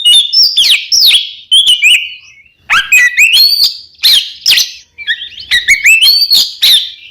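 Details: Oriental magpie-robin singing in the kembar ngeplong style, used as a lure to get caged birds singing: loud, varied whistled phrases with rising and falling slurs and sharp notes, in bursts separated by short pauses.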